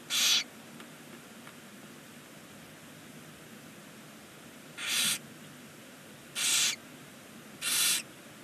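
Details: A barn owl at a nest box on a chimney in Ságvár, Hungary, on the day the first chick appeared, gives four harsh, breathy hissing bursts, each under half a second: one alone, then three closer together, over a quiet background.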